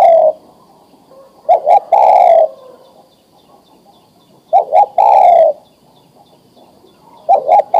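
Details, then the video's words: Adult male spotted dove ready to breed, calling to a female for mating with nguku coos and coos without the final kuk: short low cooing phrases, each two or three quick notes then a longer coo, repeated about every three seconds in quiet surroundings. "Suara Tekukur Jantan Memanggil Betina Siap Di Kawinkan"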